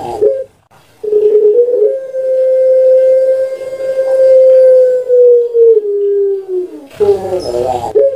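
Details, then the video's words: Puter pelung, a long-voiced dove kept caged in Java, recorded for training: a brief coo, a gap, then a steady drawn-out tone of nearly six seconds easing downward, ending in a burst of warbling notes. "Puter Pelung Suara PANJANG"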